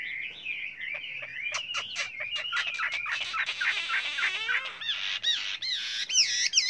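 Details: Chinese hwamei in dense, many-voiced song, a fast jumble of whistled slurs, buzzy bursts and sharp clicks, ending with loud looping upward whistles.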